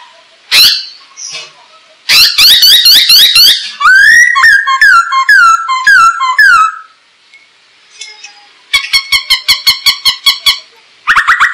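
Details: Masked laughingthrush song meant to prompt and tutor birds: a harsh note, rapid rasping chatter, a run of rising whistled phrases, a pause, then fast repeated harsh clicking notes.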